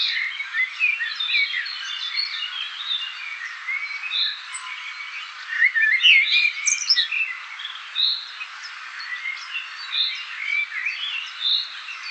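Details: Eurasian blue tits at a nest box in breeding season, parents busily gathering caterpillars and insects for their young, give a busy stream of short, high, chattering chirps that overlap throughout.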